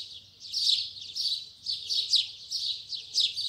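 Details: Double-collared seedeater of the Braddock line in morning song, heard as harsh, buzzy phrases about every half second over a faint low hum.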